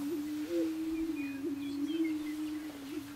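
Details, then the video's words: Greater prairie chickens booming on their lek at a Nebraska ranch in 2011: an unbroken low hum with small upward bumps, and faint thin whistles overhead. "Greater Prairie Chicken Lek"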